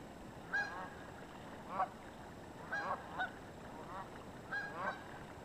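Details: Geese on the Yakima River call in bursts of two or three nasal honks, each group separated by about a second, from a flock described as very chatty.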